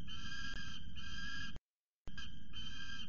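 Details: Young male peregrine falcon at the CSU Orange nest site, 12.12.19, screaming loudly after chasing his mother off the scrape; long harsh harmonic screams, two drawn-out bursts, a brief pause, then more, over low steady background rumble.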